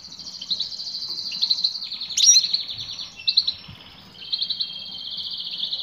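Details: Female European goldfinch calling a male. Fast, buzzy, high trilled twittering runs almost without a break, with one sharp accented note and a brief lull before the trill resumes.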